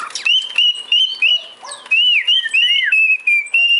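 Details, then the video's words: Steady, pure whistling from a male cockatiel: sustained tones bending gently up and down, joined into a flowing tune with a few swooping notes. "Calopsita macho "Bibi" assoviando"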